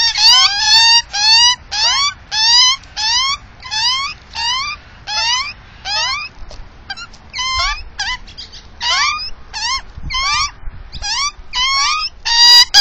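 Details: Australian magpie at its nest in a tree in the south-east suburbs of Melbourne, Victoria, with chicks hatched in late August, recorded by a security camera beside the nest: loud nasal rising squawks with rich harmonics, repeated roughly every half second, in irregular runs with brief pauses.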